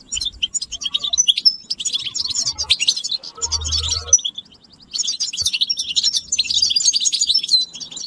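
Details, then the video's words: European goldfinch group chatter, mating and readiness calls that stimulate males to sing: lively high twitters and liquid trills with a few clear whistles, broken by a short gap with a low hum. "بتبتة الحسون تحفيز الحسون على التغريد والهيجان علاج صمت الحسون goldfinch stimulation"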